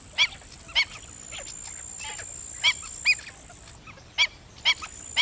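Black-winged stilt giving sharp, nasal yelping notes, singly or in quick pairs, at irregular intervals of about half a second to a second, over a thin high hiss.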